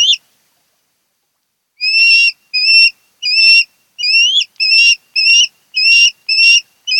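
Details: Osprey at a Kent Island, Maryland nest of a bonded pair, camera recording 08-10-2018: a single whistle, a pause of nearly two seconds, then nine sharp, clear whistled cheeps coming faster toward the end.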